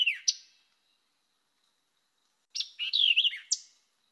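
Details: White-eyed Vireo, a bird of woodland edges, thickets and heavy undergrowth that sings from low perches, gives a quick, emphatic burst of sharp, slurred whistled notes, opening and closing with a snappy chip, high and clear; its distinctive song.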